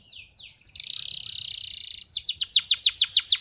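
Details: Male canary singing to teach young canaries and excite females: high slurred whistles, then a long rapid buzzy trill, then a clear series of about ten quick descending notes.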